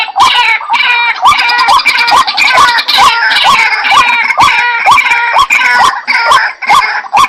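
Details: White-breasted waterhen giving a steady run of short upswept notes about twice a second, overlaid by dense, busy higher calling and sharp clicks throughout.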